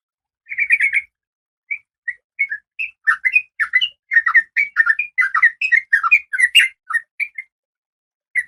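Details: Oriental magpie-robin, a female in breeding condition, calling a male in captivity. A short harsh chatter, then spaced whistles that speed into a lively run of varied clear notes.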